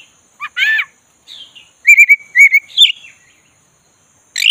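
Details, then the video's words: Oriental magpie-robin, black-breasted type, stimulated to sing; a raspy buzzing note, a soft whistle, then a quick chain of trilled warbling notes and a rising squeal, ending in a loud burst. "pancing kacer tak bergairah jadi gacor|kacer dada hitam"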